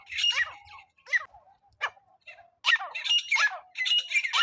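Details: Francolin (teetar) sound played for hunting with a net: rough squawking bursts, some isolated, then dense runs of harsh repeated notes.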